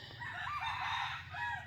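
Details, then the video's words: Decoy rooster crowing in a challenge: a drawn-out, harsh crow with several bands of tone, held steady for most of the clip and dipping near the end, over a constant low hum. "ไก่ต่อ บนดวย ต่อหน้า เร๊ว"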